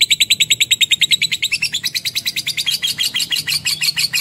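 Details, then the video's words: Rapid lovebird chatter of sharp, high squeaky notes repeated evenly. The notes grow higher and more buzzy in the second half, with no other sounds. "AUDIO BURUNG LOVE BIRD JERNIH DAN PANJANG"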